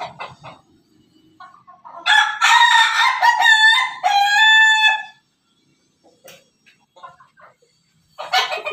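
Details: Pelung rooster gives one long, drawn-out crow of about three seconds, rich and wavering, with a brief dip before a final sustained note; soft clucks and knocks surround it.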